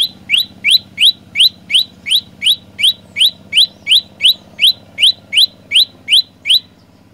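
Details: Long, steady series of roughly nineteen bright, rising chirps from an olive-backed tailorbird, close to three per second, stopping shortly before the end, with a faint low hum.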